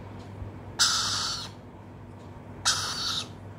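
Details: Swainson's lorikeet chick replies to its keeper's call with a pair of rasping, hissy squawks nearly two seconds apart, each sharp at the start and fading, with quiet background hum.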